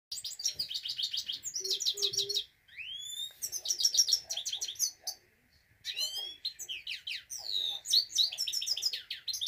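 A Himalayan goldfinch sings a fast, bright twitter of high tinkling notes, quick trills and buzzy slurred phrases, broken by two short pauses.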